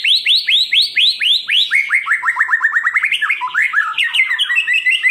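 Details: A Medan-type white-rumped shama kept for song training: loud repeated downward-sweeping whistles, then a quicker run of chirps turning into a jumbled, chattering warble.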